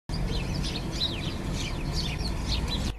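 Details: House sparrows in India eating rice give a scatter of quick, high chirps and short twittering notes over a steady low rumbling background noise.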